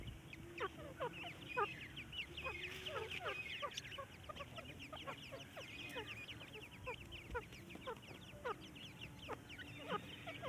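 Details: A male Iranian golden partridge calls with rapid, overlapping sharp chirps and chuckling notes, several per second, over a low steady hum.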